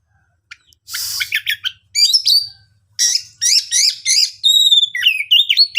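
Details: Oriental magpie-robin singing to provoke other birds into answering: rich, varied high song of sweeping whistles, rapid chattering bursts and buzzy notes, delivered in quick phrases with brief pauses.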